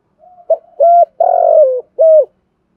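A spotted dove gives a soft lead-in followed by several low, throaty coos, the middle one drawn out.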